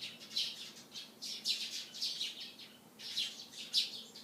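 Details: High, rough chirps from Eurasian tree sparrows one morning near a white sports car, delivered in short clustered bursts of two or three with brief gaps between.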